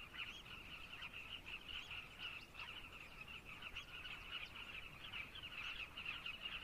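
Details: Carmine bee-eaters in Zambia producing an unbroken wall of rolling, slightly harsh calls from many birds at once, steady in loudness throughout.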